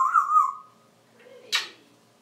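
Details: Male African grey parrot left alone on the porch while its owner is indoors, giving a short level whistle, a pause, then one harsh burst-like squawk fading away.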